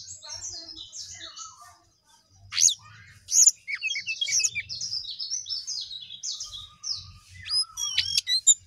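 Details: A Sooty-headed bulbul sings eagerly: descending high chirping runs, two loud sharp calls, a short gap, then more chattering and bright upward-swept notes at the end.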